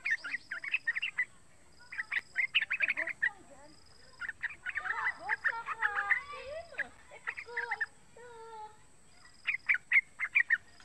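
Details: Calls of a young yellow-vented bulbul used as a lure to draw other bulbuls into singing: clusters of short chattery notes at the start and end, with lower, drawn-out sliding sounds in the middle.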